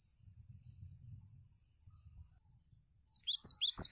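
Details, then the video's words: Cinereous tit tutoring song for other birds: after nearly three seconds of quiet low rumble and a thin steady whine, a quick burst of six sharp, high ringing notes closes the recording. "Masteran Gelatik Batu Untuk Mastering Burung Anda"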